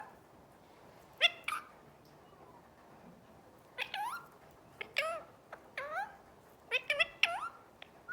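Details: Parrot vocalizing, heard as scattered, fairly quiet bursts of harmonic, bending whistles and squawky syllables, some rising sharply, separated by short pauses over a quiet room background.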